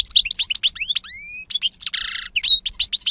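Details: European goldfinch, two years old, with strong-timbred wild song: quick twittering notes, a long smooth rising whistle, a dense harsh buzz, then more bright chirps.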